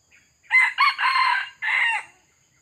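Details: A wild cock red junglefowl, drawn in by a decoy bird, gives a single hoarse crow: two quick bursts, a long harsh middle section, then a separate closing note that drops away.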